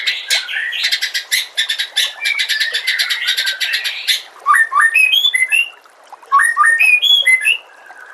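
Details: Tutor recording of white-rumped shama song: about four seconds of rapid, buzzy repeated notes, then separate bright whistled phrases that step upward, each followed by short silences.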